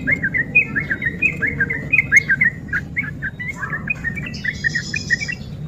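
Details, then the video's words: Sooty-headed bulbul in rapid ropel style, used as a lure to provoke lazy bulbuls into singing: busy run of short, bubbly, slurred whistled notes, closely packed and uneven, with a faint low background hum. "SUARA TRUCUK GACOR EMOSI TINGGI PANCINGAN TRUCUKAN MALAS ROPEL"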